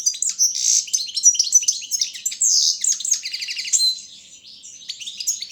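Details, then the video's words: Competition song of a European goldfinch, subspecies balcanica, in a Serbian-run world goldfinch song championship: rapid bright twitters and slurred high notes, a rattling buzzy trill near the middle, fading to softer scattered chirps at the end. "Pesma štiglića 004/22 World Championship in Goldfinch Song"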